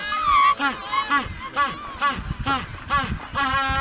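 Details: Honking mating call of a penguin on Isla Magdalena, Magellan Strait, Chile: a loud drawn-out honk followed by a fast run of rhythmic braying pulses, about two per second, each a short harsh hee-haw note.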